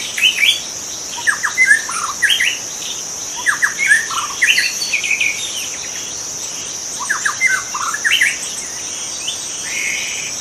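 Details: A wild white-rumped shama sings short clusters of sharp, rising whistles and chattering notes, repeated in groups with quiet gaps. Insects buzz steadily throughout.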